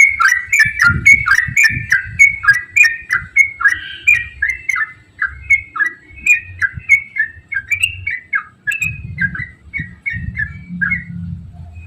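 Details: Yellow-vented bulbul singing, used to coax other bulbuls to sing: a long run of quick bubbly whistled phrases, each dipping and rising, delivered several times a second, with low rumble in the background.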